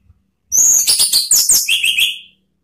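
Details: Ngeplong-style provoking song of an orange-headed thrush: a continuous rush of high buzzy, scratchy notes sliding into a few lower clear whistles at the end.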